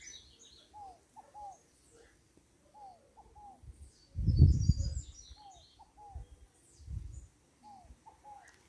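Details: Scaled dove singing: soft two- and three-part whistled coos, each falling slightly, repeated about every two seconds. A brief loud low thump breaks in midway, and faint high chirps from other birds sound above.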